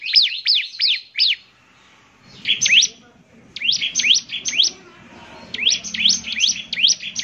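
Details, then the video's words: Bar-winged prinia, an active songster, delivering short bursts of three to five high, steeply sliding chirps separated by brief silences, with a faint low hum between phrases. "ciblek semi gacor, SEKALI putar saja ciblek semi PASTI ikut bunyi nyaut"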